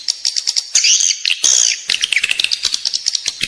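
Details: Swiftlet call used indoors to attract edible-nest swiftlets: fast clicks, two loud, arched squealing notes, then a steady run of rapid chirps.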